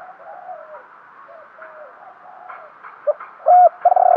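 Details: Decoy spotted dove cooing to draw in wild birds. Faint distant coos come first, then loud, sharp rising notes near the end, with the last phrase cut off.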